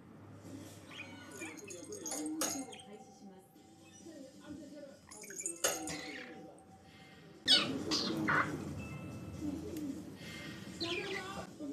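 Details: A young pet budgerigar just beginning to learn words chatters in a small, scratchy voice, mixing mumbled, still-halting speech-like phrases with quick clicks and warbles, then a brighter burst of chatter near the end.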